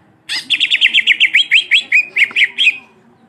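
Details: {'text': 'Cucak ijo with a long black muzzle, singing a rolling song to provoke other birds: a sudden outburst of about fifteen rapid, bright, downslurred whistles, evenly paced and ending crisply.'}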